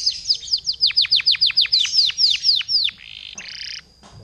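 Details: Canary lure song for setting other canaries off: a quick string of loud, sharply falling whistled sweeps at about three per second, followed by a short burst of harsh rasping noise.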